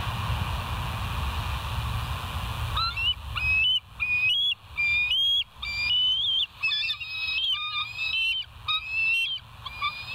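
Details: Bald eagles on a live nest camera at West End, 21 September 2023, 06:55; a long run of high, thin piping whistles, some rising and some flat, repeated about once a second after a quiet start over steady low hum.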